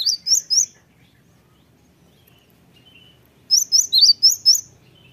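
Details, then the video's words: Lure song of a Cinereous Tit meant to provoke replies from other birds: three ringing high notes, a long hush with a faint thin note, then a rapid string of five whistled phrases. "gelatik batu apapun 100% nyaut gacor dengan pancingan gelatik ini"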